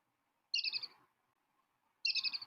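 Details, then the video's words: Playback of a brown-hooded kingfisher at an African waterhole: two brief, high, rattling trills of fast repeated notes about one and a half seconds apart, otherwise quiet. "going to play the call here for you of the brown-hooded kingfisher. I hope that you can hear. There we go."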